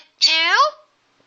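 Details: A pet talking myna, part of a slow version of its phrase "What did you do?", gives a single harsh, voice-like syllable, rich in overtones and slightly falling, lasting just over half a second.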